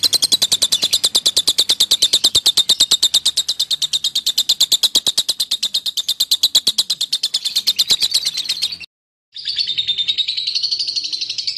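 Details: Lovebird's long ngekek trill, meant to provoke rival birds into singing: fast, buzzy, evenly repeated high chatter running about nine seconds, a brief silence, then the chattering resumes with a wavering pitch.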